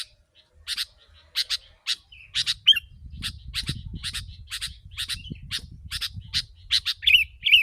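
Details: Lure recording of a sooty-headed bulbul for calling in wild birds: dry, scratchy chip notes, mostly doubled, about two or three a second, with a brief twisting whistle, over a low rumbling background from the middle on.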